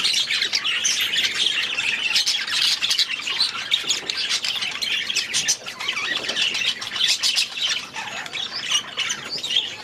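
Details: Several budgerigars in an aviary chattering nonstop: a dense, overlapping mix of scratchy warbles, squawks and high chirps that never pauses, with brief louder squawks standing out above the constant flock noise.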